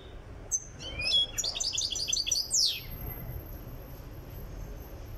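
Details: Goldfinch from Tiaret being readied for singing: a few isolated high chirps, then a two-second burst of jingling twitters ending in a sharp downward slur, followed by quiet.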